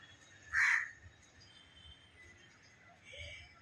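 A myna gives one loud, harsh squawk, then a softer, raspy call about two and a half seconds later over a quiet background.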